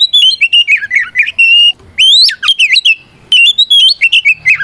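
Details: Oriental magpie-robin singing loud 'ngeplong' fighting song meant to challenge opponents and make them reply; rapid runs of varied whistled notes, a steep upswept slur, then more fast chattering trills and twittering phrases with brief gaps.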